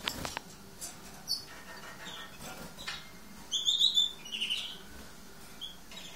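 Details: Green-backed lesser goldfinch (hesperophila) breaking into a brief buzzy, warbled twitter midway, surrounded by scattered clicks and soft tapping noises.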